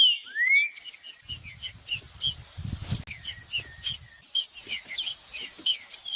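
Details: Green-winged saltator singing to excite another saltator into song: an opening rising whistle, then repeated short high chirps and whistled notes, with a low rumbling noise through the middle.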